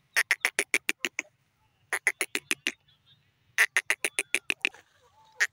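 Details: Grey francolin, known locally as teetar, calling in three bursts of harsh, clicking notes, each burst about a second long and delivered at a fast, steady pace, with short silences between bursts.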